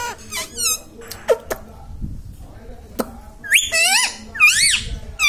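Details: Indian ringneck parrot kept as a pet, saying mummy, papa and radhe radhe: shrill, rising-then-falling speech-like syllables, several in a quick burst near the end, with clicks and soft indoor background noise.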